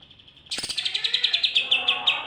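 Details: Greater green leafbird giving a 'roll' and 'tembak' style song: after a soft start, a loud, fast, high-pitched string of sharp repeated notes, about seven per second, bright and chattering.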